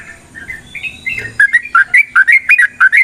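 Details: Yellow-vented bulbul (trucukan) song used to provoke a fighting response; a soft rising warble leads into loud, liquid bubbling notes repeated in a steady quick series.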